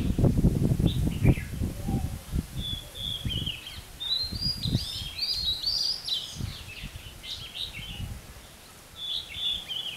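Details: Red-whiskered bulbul used as a trap decoy to lure wild birds, giving lively whistled, warbling phrases, while loud low rustling and knocking dominate the first seconds.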